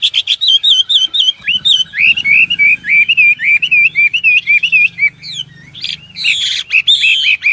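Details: Hwamei pouring out rapid, warbling whistled notes that rise and dip in a rolling series, later joined by louder harsh rasping phrases; faint low hum in the background.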